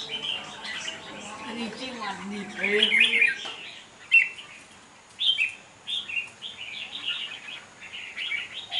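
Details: Caged, tame competition red-whiskered bulbul singing short, bright, warbled phrases about once a second; it fans out more the more it contests; a man talks over the first few seconds.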